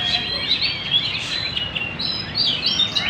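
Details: In Banjar, a magpie-robin sings busily: dense, varied high twittering mixed with clear drawn-out whistles and fast rising and falling slurs, steady throughout.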